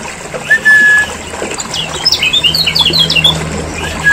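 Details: Lure track of Lombok lemon-bellied white-eye: a steady whistle opens, then a lively cluster of bright, jumpy chirps in the middle, over a low mechanical hum.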